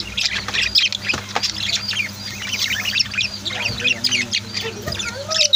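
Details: Pet budgies and lovebirds at home, no music added: a dense, constant chatter of overlapping high chirps, squeaks and warbles, with a low steady hum and a few lower clucking notes beneath.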